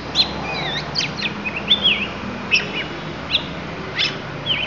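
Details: Lampung oriental magpie-robin delivering its isian, or fill-in song: a quick run of varied whistled notes, sharp chirps and rising and falling slurred phrases, given in short bursts with brief pauses, over a faint low background hum.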